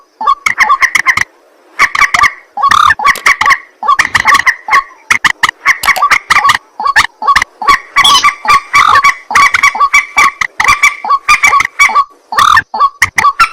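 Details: White-breasted waterhen calling at night: harsh, croaking notes with clicking chatter, delivered in rapid, near-continuous bursts with brief pauses, each note strongly nasal and honking.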